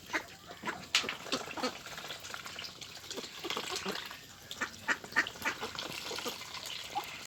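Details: Farmed ducks on a rice field, raised for meat, keeping up a fast busy series of short nasal quacks from many birds, overlapping and uneven, with background hiss.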